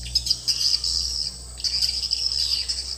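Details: Swiftlet house lure call: two bursts of fast, buzzy high twittering chirps with a brief gap between, over a low electrical hum.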